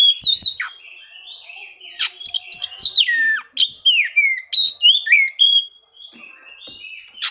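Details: Song of an Oriental magpie-robin searching for rivals, used to goad silent birds into singing; sweet whistled notes and downslurred phrases alternate with harsh chatters, a steady high tone running behind throughout.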